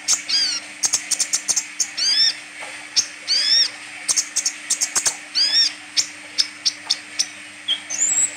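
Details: Sunbird, known locally as kolibri ninja, in full vigorous song with open beak. Dense run of very high, sharp ticking notes with repeated rising and falling whistled sweeps, delivered almost continuously over a constant low hum.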